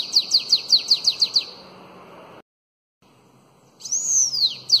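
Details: Elongated Belgian-style bananaquit song for training young birds: a quick run of about eight high descending notes, a brief silence, then the opening arched whistle of the next phrase.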